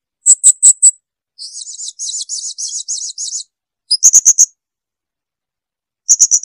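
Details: Blue-crowned hanging parrot song: very high, sharp ticking notes in short bursts, then a longer run of buzzy, rasping, evenly spaced phrases, followed by more ticking bursts; no other sounds.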